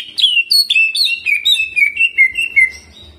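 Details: Greater green leafbird, a caged bird singing energetic jamtrok-style song with ciblek mimicry and rolling phrases: a run of sharp whistled notes, each sliding downward, falling step by step across three seconds.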